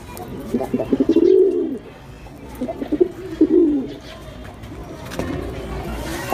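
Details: Pigeon giving two low gurgling coos with stuttered onsets in the first four seconds, then quieter background hum and faint rustling.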